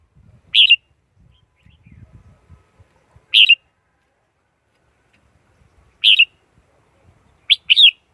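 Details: Red-whiskered bulbul repeating short warbled phrases four times, the last doubled, separated by a few seconds, with soft low rustling and knocking between calls.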